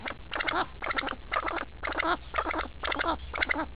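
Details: An angry pheasant, agitated at the people nearby, gives harsh, nasal, clucking bursts, about two each second, in a repeated series over a low background rumble.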